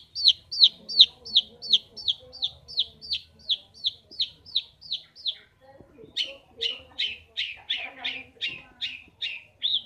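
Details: Long-tailed shrike (pentet, cendet) singing vigorously in a cage at home. It gives rapid downslurred chirps, then a brief pause, then louder, broader notes, with soft household noise underneath.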